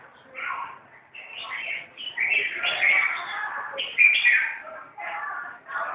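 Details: Fighting red-whiskered bulbuls keep up an almost continuous, rasping, squabbling chatter, dense overlapping bursts building louder toward the middle and again near the end.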